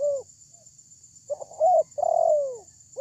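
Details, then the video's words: Spotted dove lure call, used to draw a response from other doves: deep, hollow coos, a short stuttering note, then a long, loud, falling coo, over a steady high electronic whine. "pancingan terkukur ini ||terkukur suara besar"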